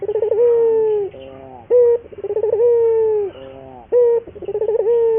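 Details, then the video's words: Local Barbary dove cooing steadily as a training lure: repeated cycles of a short abrupt note followed by a long coo with a quavering start and drooping end, roughly every two seconds. "pancingan burung puter gacor, melatih burung puter lokal agar cepat gacor"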